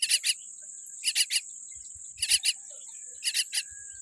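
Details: Common myna chick, tiny and born with a weak beak, calling in short rasping bursts grouped in twos and threes roughly every second, with a constant shrill insect-like tone running underneath.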